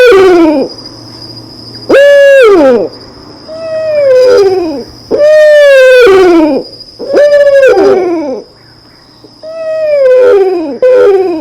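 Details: Loon calls: a series of drawn-out, mournful wailing notes, each rising then sliding down, repeated with irregular pauses, and a faint steady high tone in the background.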